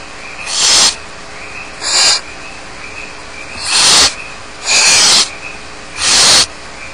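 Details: Barn owl chicks waiting alone in the nest at Starr Ranch utter harsh, rasping begging hisses. Five bursts come roughly every 1.2 seconds, loud ones alternating with slightly softer ones.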